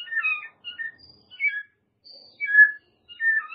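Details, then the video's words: White-rumped shama, played to coax a lazy-singing shama, giving short clusters of mellow whistled notes separated by brief pauses, with a thin high whistle in between. "MURAI BATU MALAS BUNYI"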